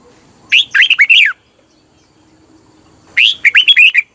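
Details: Red-whiskered bulbul song used to excite caged birds; two loud bouncy phrases of four to five slurred whistled notes, separated by about two seconds of quiet.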